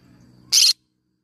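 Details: A single harsh, grating screech from a yellow-sided conure parrot, lasting a quarter second after a low background hum, then silence.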